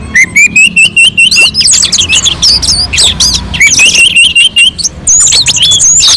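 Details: Mountain-slope orange-headed thrush in a melodious song used to lure other birds into singing: a rising series of clear whistled notes, then dense twittering and slurred high phrases in fast succession.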